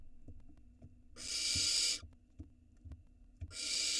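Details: Small barn owl nestling at a nest camera in Israel, 2022, swallowing a gigantic rat whole; two harsh, broadband hissing screeches, the first about a second long and the second beginning near the end, with faint soft knocks and rustles between.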